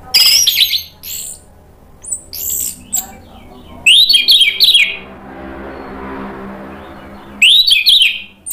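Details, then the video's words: Orange-headed thrush song used to provoke other birds into singing: scattered short phrases of sharp whistled notes and harsh buzzy chips, with gaps of low room hum between them. "ANIS MERAH GACOR NGEPLONG memancing EMOSI jadi NYAUT BUNYI"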